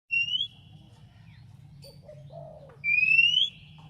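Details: Oriental magpie-robin singing to provoke a rival into answering: two loud, clear whistles that slide upward, separated by soft, low, slurred notes.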